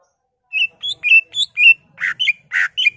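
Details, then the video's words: Caged greater green leafbird in agitated song meant to provoke other birds: five short whistled notes followed by rougher, buzzy notes alternating with whistles, delivered quickly in two and a half seconds. "CUCAK IJO GACOR EMOSI BONGKAR ISIAN NGENTROK/ PANCINGAN CUCAK IJO BIAR EMOSI"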